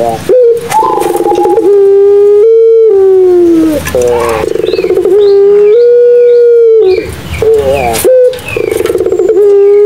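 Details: Madura pelung Barbary doves cooing as a lure for silent birds: a run of long, level and softly sliding coos, overlapping voices, and scattered high chirps from other small birds.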